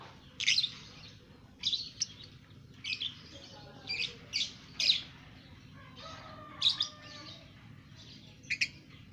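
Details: Young caged lovebird, two months old, chattering its ngekek song; raspy squeaky notes at irregular intervals of about one second.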